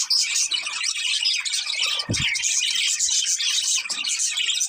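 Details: Budgerigars, a pair, in a steady wash of high chattering warble with a single low thump partway through.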